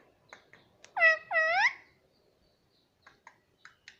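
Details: Talking pet parrot, known for saying "mummy" and "mitthu": two loud, drawn-out nasal syllables, rising then falling, followed by faint scattered clicks and ticks in a quiet indoor space.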